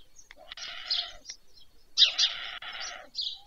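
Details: White stork chicks being fed at the nest in the evening, Pyriatynskyi National Nature Park, Ukraine, 21 July 2024, from a nest camera broadcast: two harsh, wheezy, rasping bursts lasting about half a second each, with high small-bird chirps between.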